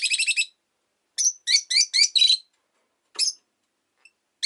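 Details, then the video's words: Pet rosy-faced lovebird opening with a fast rattling string of high notes, then a series of shrill, buzzy chirps in close succession, a lone squeak and a final chirp. "Lovebird Chirping Sounds"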